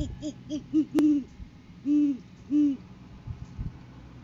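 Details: Courting great horned owls, the male delivering a food gift to the female on a January 2023 live cam. Quick clipped hoots open, then two long, booming, even hoots about half a second apart, with a brief click.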